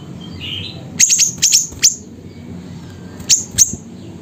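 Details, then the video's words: Siri-siri bird recorded at Busu Reului, Mutiara, Pidie, Aceh, Indonesia: sharp, very high clipped chirps in a quick burst of five, then two more after a pause, with a soft whistled note from another bird and low background hum. "Burung Siri Siri Nembak Suara Gacor"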